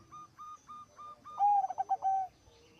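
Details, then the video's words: Zebra dove song that sets other zebra doves singing: a few short soft notes, then a loud, clear, low cooing trill broken into quick pulses. "Suara Perkutut Gacor Suara nya bikin Burung Perkutut Lain Ikut BUNYI"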